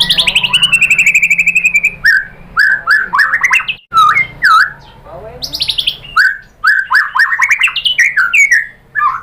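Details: White-rumped shama (murai batu) provoked by a lure recording into full song: a fast rattling trill, then a rich series of varied whistled, slurred and buzzy notes with short pauses.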